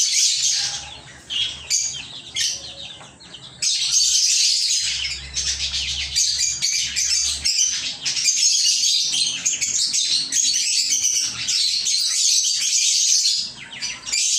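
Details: Several lovebirds kept at home chirping. Patchy squeaks open the passage, then a long, nearly continuous stream of high, buzzy chatter follows, with a faint low hum underneath early on.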